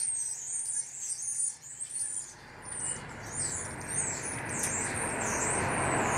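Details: Starlings calling as a flock in a tree: many shrill whistled notes and chattering chirps tumbling over each other, soon joined by a loud steady rushing roar like wind or traffic.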